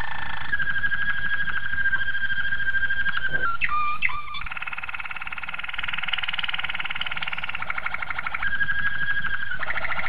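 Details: Malinois Waterslager canary training song for young canaries: continuous rolling, water-like trills with fast bubbling repeats, a brief broken section of short notes mid-way, then steady rolling tours again over low background hum.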